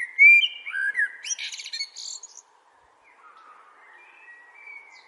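A blackbird sings a loud, mellow fluted phrase ending in a squeaky twitter, followed by softer, more distant fluty notes.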